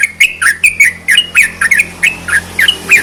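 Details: Sooty-headed bulbul song used to rouse lazy bulbuls into singing: a rapid string of short, bright whistled notes, each dipping and rising, about four per second, over a low background hum.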